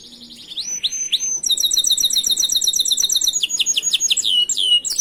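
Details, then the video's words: Master song of a canary, used as a training model for other canaries: a few whistled slurs, then extended fast tours of crisp repeated high notes switching to a swooping trill. "Masteran burung Kenari"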